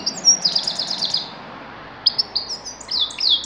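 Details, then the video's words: Grey-crowned goldfinch: two phrases of high, liquid twittering song with fast trilled notes and sliding chirps, separated by a brief pause. "Седоголовой щегол"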